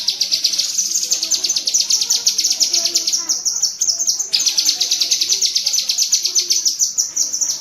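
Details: Sustained rapid chattering of a cucak kinoi bulbul, the tembakan cerecetan style used to tutor pet birds. A dense stream of sharp, high, evenly spaced notes runs throughout with a brief break midway.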